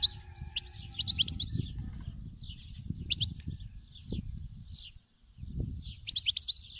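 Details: Wild khalawi European goldfinch twittering in bursts: sharp metallic chips and short slurred notes, a quiet pause near the end, then renewed bright twittering, all over low rumbling noise.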